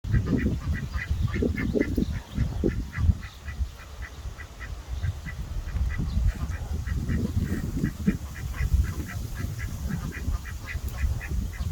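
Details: Two talkative ducks chatter in quick, steady runs of short nasal notes, about three a second, over heavy low rumbling background noise; duck.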